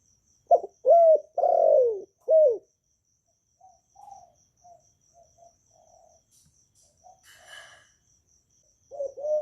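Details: Vietnamese spotted dove, kept and recorded directly, cooing to stimulate newly kept doves. One clear phrase of four low coos, then soft scattered murmuring notes, a brief click-like noise, and the next phrase starting at the end.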